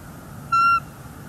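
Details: Female bald eagle at a NEFL nest, January 30, 2024, calling from the nest in displeasure at an intruder eagle nearby: a single short, level, whistled note with bright overtones over low background hum.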